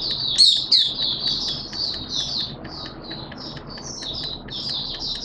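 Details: Hobby-kept Malaysian Oriental white-eye giving its 'buka' opening song, 21 June 2023: two loud opening chirps, then a steady string of quick, high twittering notes, about three per second, over a faint background hum.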